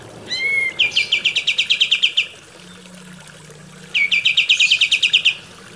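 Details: Kapas tembak song for training captive birds: a brief rising whistle leads into a rapid trill of high chips, and after a short pause a second similar trill follows.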